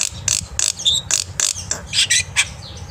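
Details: Black-winged myna in full morning song, a tutor for young birds: loud, harsh, hissing notes repeated in a rapid uneven series, mixed with a few short high whistles.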